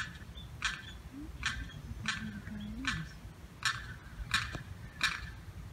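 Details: Lost Limpkin chick wandering alone, cut off by a fence from its mother and sibling on the 4th of July, giving sharp, harsh calls about every 0.7 seconds, with a low hum beneath.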